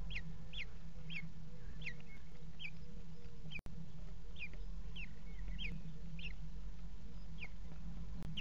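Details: Four Common Kestrel chicks in a nest box, fed by their mother at 17:00 on 28 June 2016, the fourth having hatched that day; short, high, down-slurred squeaks repeat roughly every half second over a steady low hum.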